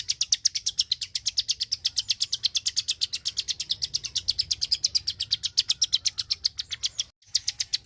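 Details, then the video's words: Continuous fast clicking song of a Klik-klik bird, high and sharp, broken by one brief silence near the seventh second before the clicks resume. "BURUNG KLIK KLIK SUPER GACOR,TEMBAKAN SUARANYA BIKIN MELONGO"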